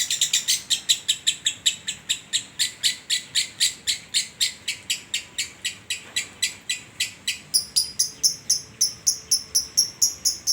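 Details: Contest lovebird from Sragen with a long-lasting ngekek: a steady series of sharp, clicking high notes, roughly four per second, turning slightly shriller and more doubled toward the end.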